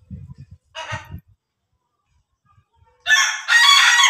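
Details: Ayam Ketawa rooster: a short rasping crow note near the start, a pause, then two loud harsh harmonic crow bursts close together at the end.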